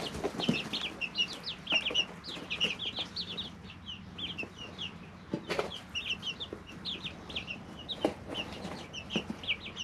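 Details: Brooder of three-week-old domestic chicks: a busy, continuous chorus of shrill descending peeps from many birds, with pecking taps and sharp clicks scattered throughout.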